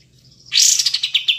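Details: Brief burst from a pied triller, kapas tembak: a sharp high onset breaking into a handful of quick, descending clipped notes.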